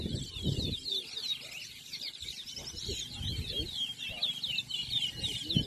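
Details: Towa towa singing in a 2023 bird race at Anna Regina park in Essequibo, Guyana; a clear, quick, buzzy high warble with repeated trilled phrases dominates, with low voices and thuds from the crowd beneath.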